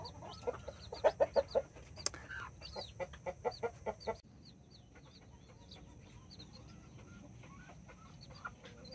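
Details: Backyard hens with nine chicks of mini and Brahma breeds: a fast run of loud, evenly spaced hen clucks for four seconds, then quieter continuous high chick peeping.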